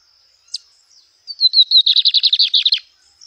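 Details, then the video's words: Lined seedeater singing in nature: a single sharp chip, a pause, then a fast bright trill of about fifteen clipped notes that starts high and drops slightly, over a thin steady high hum. "BIGODINHO CANTANDO NA NATUREZA"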